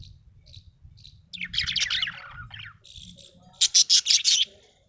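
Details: Happy pet budgerigar chattering: soft high ticks, then a descending scratchy warble, a lower murmur, and a closing run of five loud rapid buzzy pulses, over faint low hum.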